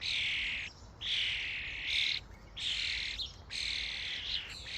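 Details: Flock of common starlings invading a feeding station: dense, hissing, scratchy chatter in bursts about a second long, broken by brief pauses, repeated steadily.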